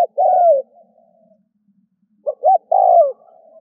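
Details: Spotted dove calling as a decoy to attract doves: a long falling coo, a pause, then two short notes leading into another descending coo.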